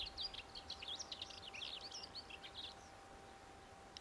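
A lesser whitethroat sings a quick, scratchy, high warble of jumbled notes for about three seconds, over a faint steady hum.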